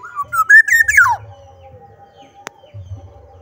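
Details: Black-naped oriole singing energetically: one rich whistled phrase climbing in steps, then slurring steeply down, followed by a quiet steady tone, a single sharp click, and a low hum.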